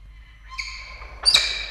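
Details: Peregrine falcons at an Orange, Australia nest site on 21 August 2023, as the male offers the female a live starling she refuses. A softer drawn rasp rises in strength, then a sudden loud, harsh shriek cuts in.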